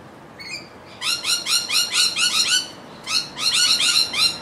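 Rainbow lorikeets give rapid, harsh, screechy chattering in two bursts of about eight to ten notes each, with a faint thin whistle just before.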